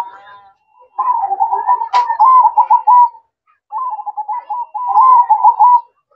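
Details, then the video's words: Night song of a zebra dove, performed as perching coos: two long rolling, quavering coo phrases at a steady mid pitch separated by a short silence, with one sharp click in the first phrase. "Suara Merdu Perkutut Manggung Di Malam Hari"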